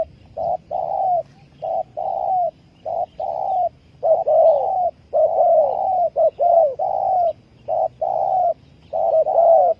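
A Spotted Dove gives low, soft cooing notes in short phrases, some rising and falling, repeated with brief pauses; faint background hiss.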